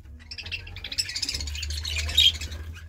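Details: Budgerigar warbling: a dense, continuous stream of chirps, clicks and squeaky notes that builds toward a louder burst near the end, over a faint low hum.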